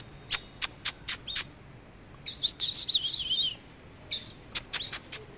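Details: Oriental magpie-robin displaying and singing: a series of sharp, evenly spaced clicks, then a quick wavering warble of high whistled notes, followed by more snapping clicks.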